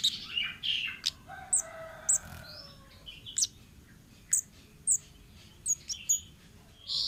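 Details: Wild orange-headed thrush producing scattered high, thin whistles and sharp ticks, preceded by softer warbled notes at the start, with faint background rustle.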